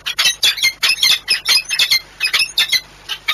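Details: Peregrine falcons courting at a nest in Płock, Poland, on 6 March 2021: harsh, rasping squawks in rapid bursts, roughly two or three per second, with a steady faint hum underneath.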